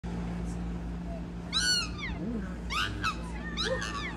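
Black swans give three short bursts of high, bugling, slightly wavering whistles about a second apart, over a steady low hum.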